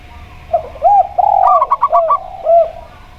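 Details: Local zebra dove, clear-voiced, heard against a steady spotted dove. A brief rattle of quick staccato notes rises out of a run of lower, rounded coos.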